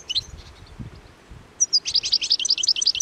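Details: Hungry European goldfinches feeding on plane tree seeds by the Anapodaris river near Garipa in midwinter, 17 January 2021: a couple of high thin notes, then a quick run of bright, tinkling twitters repeated rapidly, with faint low rustling.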